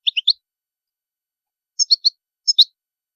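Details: European goldfinch: three short clusters of high, bright chirps, two or three notes each, with long pauses between; no background noise.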